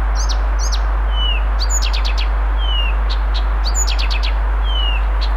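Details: Varied singing of a Blyth's reed warbler, Moscow, Russia, June 1, 2021: paired high whistles, rapid clicking bursts and drawn-out descending whistles, alternating irregularly over a constant low hum.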